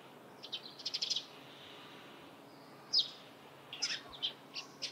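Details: Morning chirping of a Eurasian tree sparrow: a quick run of high notes, a pause, then scattered single and paired chirps.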